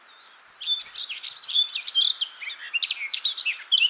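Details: Blackcap song, a brisk run of warbled and whistled notes, some scratchy, some pure and fluting, rising and falling in quick irregular bursts over three seconds.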